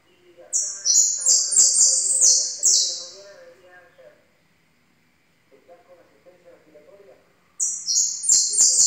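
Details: Yellow goldfinch song in two bursts of shrill, fast, slightly buzzy twittered phrases separated by a pause of several seconds, with low voices murmuring underneath.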